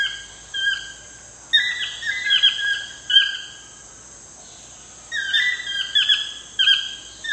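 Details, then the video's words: Toucans at sunset in the wild in Costa Rica give ringing, nasal yelps in quick clustered runs with pauses between runs; a constant shrill insect hum continues underneath. "TOUCAN SUNSET CEREMONY"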